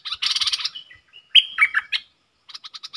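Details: Caged bulbul in a song duel with wild birds, recorded 3 October 2021: a burst of harsh chatter, then loud liquid whistled notes, ending with a fast series of short clicky pulses.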